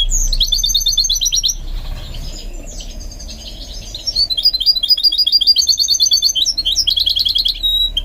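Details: Goldfinch mule during singing training: an opening buzzy trill, a brief quiet spell, then an extended fast run of chirps and rattling trills.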